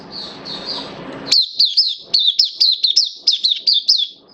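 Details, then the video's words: Hobby-kept oriental white-eye, 11 September 2022, form a little down: soft high warbling over faint background hiss, then a louder burst of sharp, sliding twittered notes repeated in quick succession. "Mata Puteh Kitaro Buka Sing"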